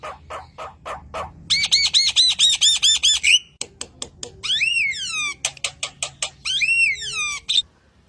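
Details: Javan myna (jalak kebo) full song used as training and lure audio for songbirds: low clicking pulses, then a fast run of looping whistled notes, followed by rasping bursts and sweeping falling whistles.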